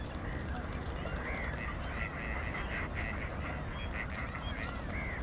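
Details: Bar-headed goose giving short nasal honks, several overlapping, slightly rising then falling, over a steady low rumble of background noise.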